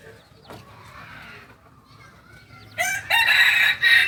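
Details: Two-month-old cockerel of the Kokok Balenggek singing breed, West Sumatra, closes with a loud, rough crow of just over a second after quieter faint calls and background murmur.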